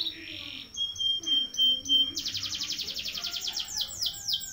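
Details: Canary song in a long-duration roll used as master recording for training young birds: a high steady whistled tone pulsed several times, then a fast dense rolling trill of rapid repeated notes, with other birds faintly behind.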